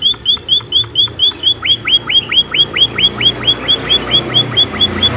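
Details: Munia (emprit) singing energetically, giving a rapid, regular string of thin, high chirps that drop sharply in pitch, roughly two per second, with a faint low hum beneath.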